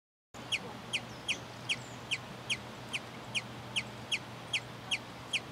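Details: Sombre hummingbird (Aphantochroa cirrochloris) singing in territory defence: short, sharp, high chips, about two or three per second in a steady series, over a low constant hum.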